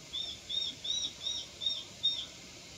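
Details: A fledgling Japanese sparrowhawk, just out of the nest, gives six thin, high, slightly slurred calls, about two a second, possibly contact calls, over faint background hiss.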